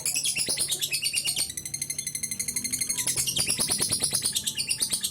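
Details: Ngekek panjang of a lovebird, played to get other birds singing: fast, high, buzzy pulsed trill, slightly uneven, running without break for the whole stretch.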